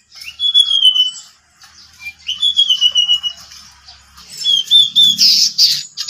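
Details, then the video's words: Ngeplon song of three pied bushchats at home, sounding like a contest: long high whistled notes sliding downward, followed by quick stuttering trills and a harsh burst near the end. "3 BURUNG DECU NGEPLON Rumah rasa di kontes"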